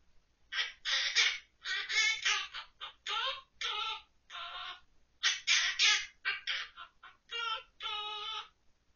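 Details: Pet monk parakeet, October 2023, singing children's songs (Ppo Ppo Ppo, San Tokki) from memory in a run of rough, nasal, speech-like syllables rising and falling with the tune, in a quiet room.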